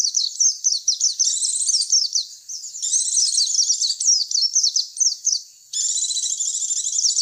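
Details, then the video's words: Lure sound of a white-eye for attracting its kind, a shrill, fast chattering of quick downslurred chirps and dense trills, broken by brief pauses before a final steady burst. "Suara pikat pleci"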